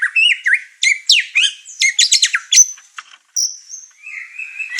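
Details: White-rumped shama, over-emotional, delivering loud varied whistles and dense chattering notes, followed by a long thin high whistle and a lower drawn-out tone.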